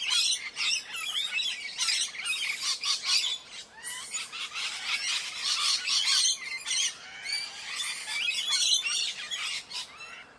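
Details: Ringneck parrot calling in a continuous run of harsh, grating squawks and screeches, uneven in spacing and rising and falling in loudness throughout, with no other clear sounds.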